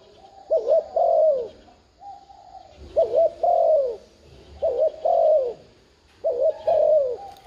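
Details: Spotted dove urging coos that prompt a newly caught bird to call: four steady phrases roughly every two seconds, each a quick wobbling double note followed by a longer descending coo, with low murmurs between.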